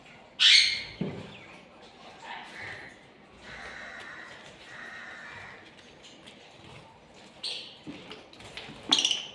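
Budgerigar chicks give harsh, raspy squawks between softer, steady buzzy chatter.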